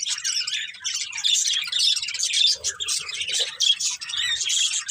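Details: High, twittering budgie chatter from a colourful breeding pair and their family runs without break, with quick sharp chirps layered over a buzzy warble.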